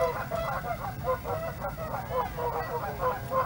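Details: Rapid-fire honking from Canada geese close at hand at Hawreluk Park Lake, short nasal notes tumbling over each other several times a second.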